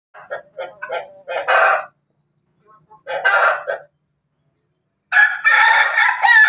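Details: Chicken, an Ayam Ketawa Bangkok and Pelung cross, calling before laying eggs in Banguntapan, Jogja: harsh broken cackling bursts, then a pause, another burst, and a loud rough outburst at the end.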